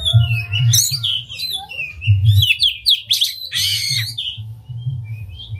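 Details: Actively singing oriental magpie-robin with tail spread, used as a lure to set off other magpie-robins: rich tumbling phrases of whistles, slurred notes and buzzy bursts, fading to sparse soft notes, with a low hum beneath.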